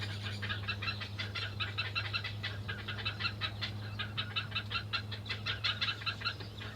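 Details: Black-headed Heron chicks on the nest beg loudly and almost nonstop with a harsh, rapid ticking chatter, about three notes a second, over a steady low hum, while pulling the adult's beak down to make it regurgitate food.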